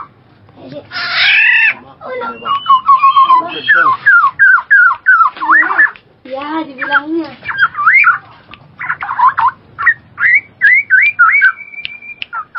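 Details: A black-naped oriole gives a harsh, nasal squall, then a quick run of fluty, liquid whistles and slurred notes, rising and falling, several phrases a second.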